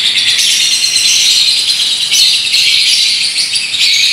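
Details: Paskun lovebird pouring out a long ngekek trill in a unique style, an intense high, hissing rattle with rapid chatter, holding steady apart from a brief dip near two seconds.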